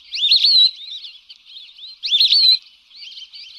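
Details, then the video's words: Lesser whistling duck lure calls: two loud, rising-then-falling whistled phrases about two seconds apart, separated by softer twittering whistles in the background. "SUARA PIKAT BURUNG BELIBIS ALIS KUNING"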